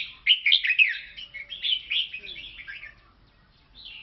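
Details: Lao red-whiskered bulbul in song: a lively stream of quick, sweet chirps and slurred whistles that gradually fades, then a brief new whistled note at the end.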